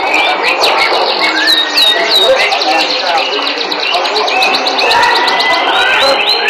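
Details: Canary singing a sweet song: dense, rapid warbled trills and chirps, many notes sliding quickly up and down, with a busy, noisy background underneath.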